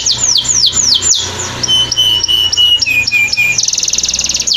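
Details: Canary singing a training recording: a series of swooping descending notes, then short high whistles over a steady lower tone that steps down in pitch, ending in a fast buzzy trill.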